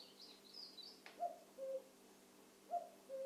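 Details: Evening calls of a cuckoo: two clear falling two-note phrases, the second pitched lower than the first. A brief high twittering from another bird opens the recording over faint background hum.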